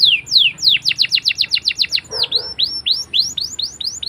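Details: Singing canary used as a lure for learning young canaries: a run of quick downslurred whistles repeated several times a second, a brief dip, then more rising and falling sweeps.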